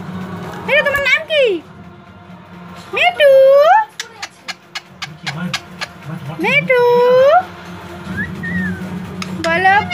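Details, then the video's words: Parrot speaking Bengali indoors: drawn-out, warbling, harmonic-rich utterances that bend up and down near one second, three to four seconds and six to seven seconds, separated by a rapid series of sharp clicks and quieter murmuring. "Parrot talking bangla, speking in bengali"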